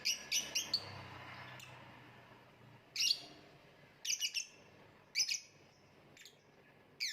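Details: Lovebird uttering rapid clusters of shrill, piercing chirps, a quick run of three at the start, then harsh bursts every second or so, some doubled, against low background noise.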